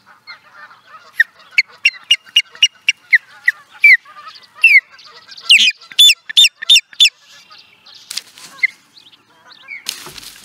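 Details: Osprey, Charlo, Montana, USA, 2017. Softer chattering gives way to an accelerating string of sharp whistled notes, then a louder burst of ringing, repeated chirps, before trailing off into scattered quieter notes and a brief rustle.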